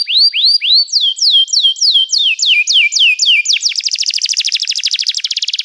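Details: Singing canary: loud, evenly spaced, swooping notes that fall in pitch, then a sudden switch to a very rapid, rattling high trill that continues to the end.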